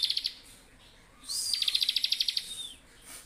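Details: Bar-winged prinia in vigorous song, used to train other songbirds: a short burst of four quick high notes, a pause, then a rapid trill of about thirteen sharp pulsed notes over a faint whistle.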